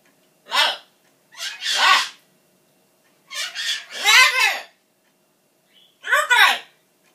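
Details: Pet macaw, indoors, throwing a tantrum because it thinks its owner is leaving: loud, hoarse shouted words in four bursts, some doubled, with arching harmonic pitch, over a quiet room.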